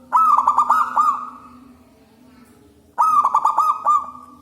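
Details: Local wild zebra dove with a big, loud voice, its song used to lure zebra doves: two phrases of rapid, staccato cooing notes, each phrase about one second, separated by a pause; a low steady hum underneath.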